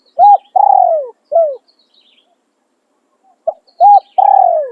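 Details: Spotted dove kept for luring wild doves, cooing in calling and tossing styles: the end of one phrase, with a rounded coo, a long falling coo and a short coo, then a second phrase beginning after a pause.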